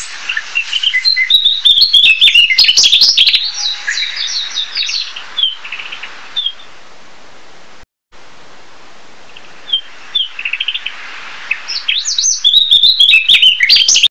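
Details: Narcissus flycatcher delivering bursts of fast, high, twittering and chirping notes. A busy opening stretch fades into scattered single notes and a brief gap, then a lively burst returns at the end.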